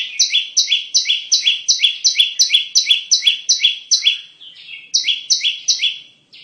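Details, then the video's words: Bar-winged prinia song used for trapping lures: a rapid stream of bright, high chirps, each stepping down in pitch, with a short softer twitter midway before the fast series continues. "Pikat Burung Ciblek"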